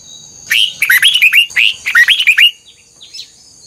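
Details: Captive red-whiskered bulbul, trained toward a wild-sounding double phrase, delivers two rapid back-to-back phrases of bright, bouncing whistled notes lasting about two seconds, then falls quiet against faint hiss.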